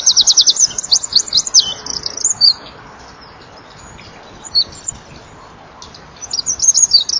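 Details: Eurasian wren singing at dusk in winter from a perch by a nest-box camera, wings fluttering: loud rapid high trills and chattering phrases in bursts, a quieter stretch in the middle, then a fresh burst of rattling notes.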